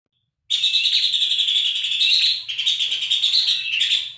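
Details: Horsfield's babbler song used as a tutor recording for songbirds: after half a second of silence, a loud, dense, harsh rattling chatter runs for nearly four seconds, briefly dipping mid-way and then resuming at full strength.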